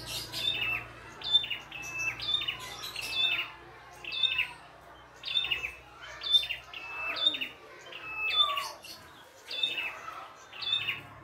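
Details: Red-headed prinia in the wild, singing energetically with many song variations: bright whistle-then-trill phrases, each sliding down from high to middle pitch, given roughly every second through the whole stretch.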